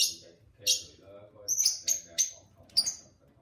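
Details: Pet lovebirds, a pair, singing alongside their owner: bright high chirps repeated several times over steady human talking.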